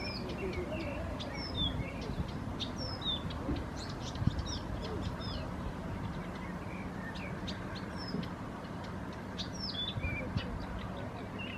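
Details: Unseen bird singing in Helsinki, Finland: scattered high, thin chirps and short twittering notes throughout, over a steady low background rumble.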